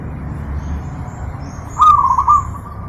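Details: Master training recording of a zebra dove singing: a single bright phrase of rapid, rolling coo notes that holds level for about half a second, set against a low background rumble.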